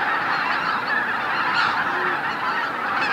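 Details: Greater white-fronted geese gathering to roost at Miyajima-numa marsh in Bibai, Hokkaido, Japan, 2016. A thick wall of massed cackling honks. One or two brighter yelps rise briefly near the middle, and a lower drawn-out note follows.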